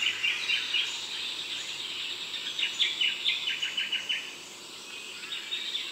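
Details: Eastern rosella in the Darling Downs region of Queensland, above 500 m: a quick run of sharp, high chattering notes, about a dozen in close succession midway, over a steady high hiss of background insects.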